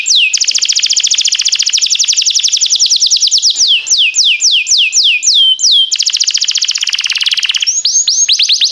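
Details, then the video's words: Canary of the timbrado type singing a training song: long loud fast rolling trills and rapid repeated descending slurred notes, about three or four per second, continuous for nearly nine seconds. "Cantar canário faz seu canário cantar"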